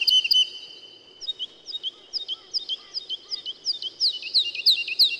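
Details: Woodlark song of repeated bright, high notes. A sustained pair of tones opens the clip, then a loose, accelerating series of short, slurred notes runs to the end.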